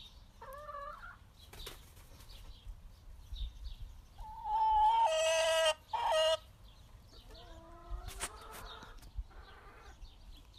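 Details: Happy chickens in a backyard giving wavering two-tone calls, a brief flutter, then a loud sustained squawk broken by a short pause, and trailing softer rising and falling clucks.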